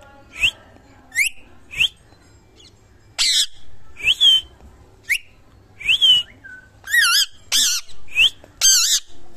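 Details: Indian ringneck parakeet, a young pet parrot billed as talking, gives a run of short rising whistles about once a second. Harsher, wavering, buzzy notes with rich overtones crowd the last three seconds, indoors with little background noise.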